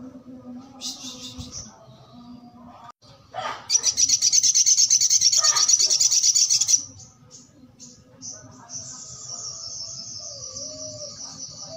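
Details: Sogok ontong singing vigorously, a rapid, high, buzzy trill of evenly repeated notes lasting about three seconds, set between scattered thin chirps and a sustained high whistle, with a faint low hum beneath.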